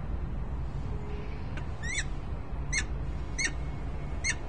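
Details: Peregrine falcon pair, male and female, in Harrisburg, Pennsylvania, on 10 December 2020 in early afternoon: four short, sharp, slurred notes given at spaced intervals of about a second over a low steady background rumble.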